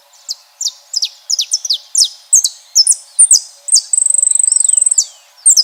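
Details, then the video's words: Saffron finches singing in nature: rapid series of sharp, high, downslurred chirps, some overlapping, about two per second, broken near the fourth second by a fast, even, high-pitched trill lasting about a second, then more chirps. "Belos canários da terra na natureza cantando"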